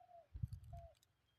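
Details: Spotted doves in Thailand answering each other's calls, recorded during decoy trapping; two mellow, slightly falling coo notes, each lasting about a quarter second, with a heavy low thumping handling noise between them.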